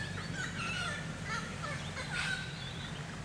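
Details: A White-winged Chough clan recorded in October 2018 in the Capertee Valley, NSW. Thin, drawn-out whistles slide downward, overlapping one another, with a rougher burst near the end and a low background hum.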